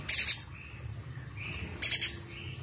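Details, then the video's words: Streaked spiderhunter (pijantung gunung) in full song, giving two quick bursts of three sharp, high, scratchy notes nearly two seconds apart over a low steady hum; its loud, sharp calls are offered as tutor song for songbirds. "PIJANTUNG GUNUNG GACOR_FULL TEMBAK TAJAM"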